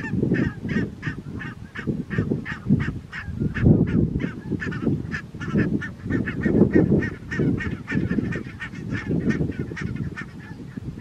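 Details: Flock of barnacle geese in Strijen, South Holland, Netherlands, 4 November 2024, giving dense, continuous short yelping barks that overlap one another throughout, with heavy low-pitched rumble underneath.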